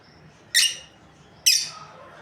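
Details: A breeding pair of lovebirds giving two harsh, high, squeaky chirps nearly a second apart, each quickly fading.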